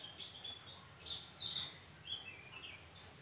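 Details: Javan grey-throated white-eye, used to make other birds answer: short separate bursts of high, thin twittering and slurred whistles spaced about every half second to second, with background hiss.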